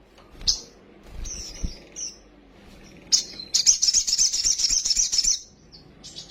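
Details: Sunbird in full song, used as a lure to provoke quick agitation. Scattered thin high notes lead into a sustained, rapid, pulsing trill lasting about two seconds, then softer trailing notes.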